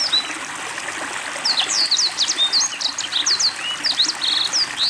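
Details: Black-throated Canary singing to water therapy, beginning quietly then breaking into rapid high slurred whistles and a brief rattling trill, with trickling water heard throughout.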